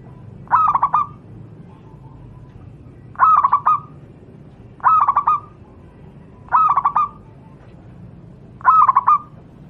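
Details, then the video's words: Local wild Javanese zebra dove song for training other doves: five evenly spaced phrases about every two seconds, each a tight burst of stuttering cooing notes, with low background hum. "burung Perkutut lokal alam, suara untuk masteran perkutut anda"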